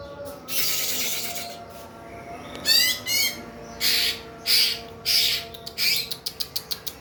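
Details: Fighter-type greater green leafbird in full song: high, harsh chattering bursts and buzzy phrases, ending in a fast series of short sharp notes, over a steady faint background tone.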